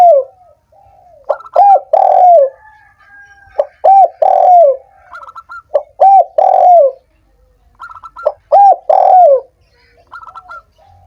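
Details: Calls of a spotted dove, played to encourage doves that are reluctant to sing: rhythmic phrases of mellow coos repeat roughly every two to three seconds, each opening with quick soft notes and ending in a longer falling coo.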